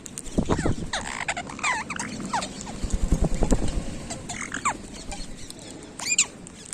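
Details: Pet rose-ringed (ringneck) parakeets give scattered harsh, chattering squawks with bent, rising-falling notes, over heavy low rumbling and tapping from the room.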